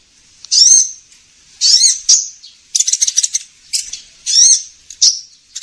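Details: Sunbird known as kolibri ninja, a recording used by trappers to attract it: harsh, buzzy high-pitched bursts lasting up to half a second, alternating with short chattering trills, separated by brief silences.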